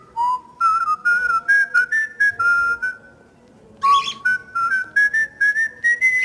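A cockatiel whistles a clear tune of short notes that climb step by step in pitch.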